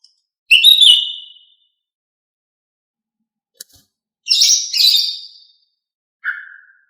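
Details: Female green leafbird (cucak ijo) whistling to draw song from males: a strong whistled note, a gap with a faint click, a double rich whistled phrase, then a short lower whistle at the end.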